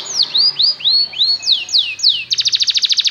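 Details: Belgian canary song to lure canaries into singing: a sequence of arching slurred whistles followed by a bright rapid trill, with faint low background hum.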